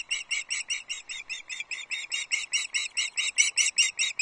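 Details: Osprey at its nest on Loch Arkaig, 22 June 2024, early morning, as the male brings a second fish, a small whole trout, to the chicks; a steady series of high, sharp whistled chirps, roughly two to three each second, without pause.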